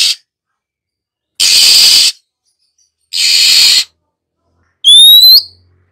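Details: Female Oriental magpie-robin kept as a cage bird, used to stimulate other birds to sing. Two long harsh, breathy hissing bursts, each under a second, then a single loud rising whistle.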